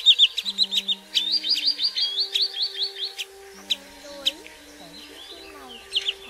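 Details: Lure recording of common greenshank for netting migrants at night. Fast runs of high, clipped whistled notes in two bursts, then scattered lone notes with faint lower sliding sounds and a constant low hum.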